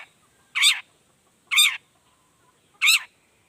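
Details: Long-tailed shrike calling in the 'toet toet' lure style: three coarse, buzzy notes a little over a second apart, clean and loud against near silence.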